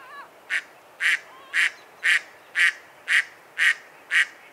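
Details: Mallard giving loud, raspy quacks spaced roughly half a second apart, eight in a row, with a faint higher note at the start.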